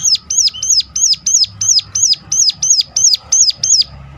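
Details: Sunda warbler giving a sharp, piercing call meant to lure other birds of its kind into singing: a steady series of about eleven high, arched notes, each falling at the end, repeated roughly three times per second, with a faint low hum beneath.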